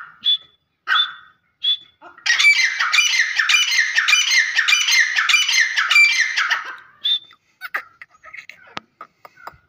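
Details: Grey francolin giving a long run of loud, grating, squawking notes in rapid rhythmic succession for about five seconds, preceded by a few short whistled notes and followed by faint clicks.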